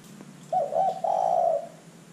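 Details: Spotted dove calling actively, a recording used as a lure to make other birds join in: one low phrase with a brief broken opening and a drawn-out, rolling coo, with steady low hum behind.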